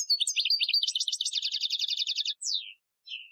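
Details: European goldfinch, Algerian-style training song recorded in 2015: a rapid, dense trill of buzzy, twittering notes repeated about four per second for two seconds, then a descending slurred note and a short final twitter.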